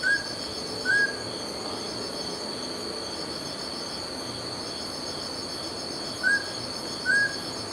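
A Mountain scops owl gives clear, mid-pitched whistled notes in pairs about a second apart, the pair repeated after several seconds, over a steady high insect chorus.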